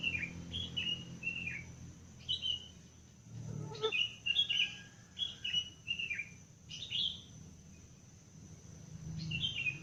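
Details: Birds singing in the wild at five in the morning while it is still dim: clear whistled notes and quick chirps in short bursts, several sliding downward, with a low thump and faint background hum.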